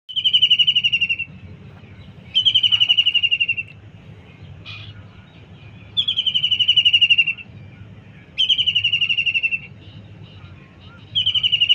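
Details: Kingfisher near a kitchen garden giving rapid trilled chattering calls in bursts of about one second, repeated every two to three seconds, over soft outdoor background noise.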